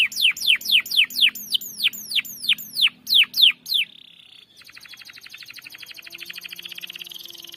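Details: Canary lure song in the long ngerol style for a canary that has gone quiet: a dozen loud downslurred whistles in even succession, followed by a soft, fast, high trill.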